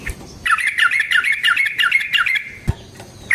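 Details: Yellow-vented bulbul song used as a lure for other bulbuls: a two-second run of fast, chattering, slightly harsh notes in steady rhythm, followed by a sharp click and a short silence.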